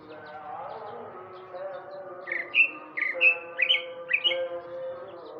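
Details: Male Sumatran greater green leafbird singing in the afternoon: after a quiet start come clear whistled, slurred notes, some rising and some falling, in quick pairs, over a steady low tonal hum.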